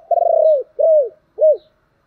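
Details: Thổ-voiced spotted dove cooing in its urging and calling manner: a trilled, stuttering low note that slides down, then two short arched coos that fall away, clean and close with no other sounds.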